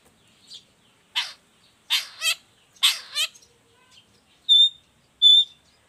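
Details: Long-tailed shrike in full voice, used to train and attract other shrikes: a few rough grating notes, some paired, followed by two clean, high, level whistles near the end.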